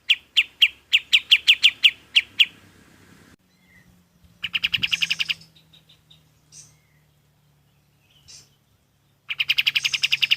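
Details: Golden-bellied gerygone, known locally as kapas tembak, used as a training recording for other songbirds: a fast train of about ten bright, evenly spaced high notes, then scattered softer chirps and a brief buzzy burst, ending with another rapid note series.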